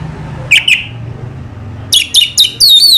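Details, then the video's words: Orange-headed thrush (anis merah) singing in relaxed 'selow' style, Indonesia: two short high chirps, a pause, then a quick run of sharp whistled notes ending in a sliding, falling whistle over low background hum. "burung anis merah selow"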